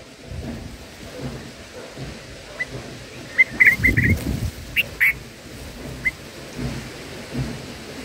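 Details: Nestling black-headed bulbuls being fed in their nest give a burst of brief high chips, clustered mid-clip then thinning to single notes, with low rumbling background noise.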